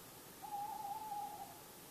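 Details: Wild tawny owl heard at night in Bergen, North Holland, the Netherlands, on August 10, approaching from afar. A single drawn-out hoot lasting about a second, slightly wavering in pitch, set against soft background hiss.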